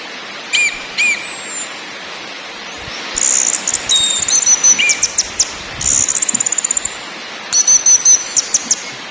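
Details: Ngakrak, ngeplong and nyiul song of an orange-headed thrush: two short whistled notes, then long runs of sharp, very high ticking rattles with a few slurred whistles woven in.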